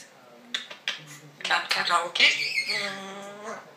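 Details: A female African grey parrot chatters in quick, speech-like bursts in the morning, with a harsh squawk mixed in, while a person talks softly nearby in a small room; she talks all day.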